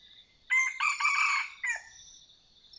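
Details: Wild Red junglefowl, Sai Wiang line, calling in a decoy-hunting setting: a single rough, ragged crow lasting about a second, ending in a short falling tail note, over a faint continuous high insect hum.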